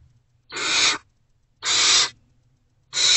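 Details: Owlets of Great horned owl in a nest box, predawn 3 March 2024, still waiting for food as an adult comes back; three loud, harsh hissing screeches about a second apart.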